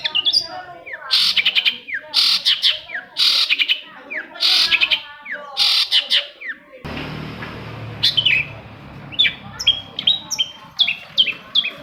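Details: Long-tailed shrike song used as a lure to get silent shrikes singing: bursts of sharp chattering notes mixed with short rising whistles, phrases repeating roughly every second, with an abrupt cut midway to a thinner sequence of high slurred whistles.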